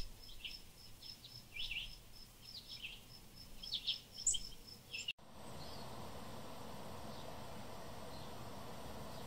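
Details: Small bird chirps repeated rapidly and unevenly over steady background hiss, high and thin, for about five seconds before an abrupt cut to continuous noise with no calls.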